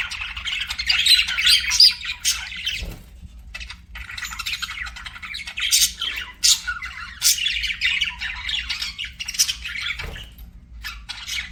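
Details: Budgerigars kept as pets chattering: bursts of buzzy warbling and sharp chirps separated by short gaps, with a few loud clicks.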